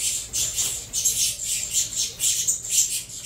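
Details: Hand-bred saffron finch chicks from a Venezuela CMA × CVK 103 cross call for food as they are fed: scratchy, shrill squawks repeated about twice a second in an irregular rhythm.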